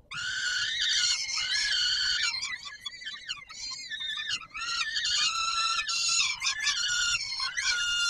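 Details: Wailing peregrine falcon calls from the Palace of Culture and Science in Warsaw, Poland, at feeding time on 17 July 2022. Nearly continuous, raspy, drawn-out screams with wavering pitch, dipping briefly in the middle.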